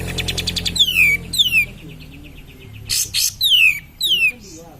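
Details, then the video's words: Cream-vented bulbul in full song, played as a lure to rouse other cream-vented bulbuls: rapid stuttering chatter, then falling whistled notes in pairs, interrupted by harsh buzzy bursts amid a busy background. "Kapas tembak Gacor suara pancingan kapas tembak naikin mental kapas tembak kalian"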